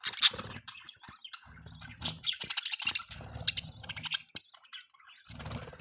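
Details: Budgerigars chirping in fast, scratchy warbles mixed with sharp high tweets and clicks, running almost without break, over intermittent low humming background noise.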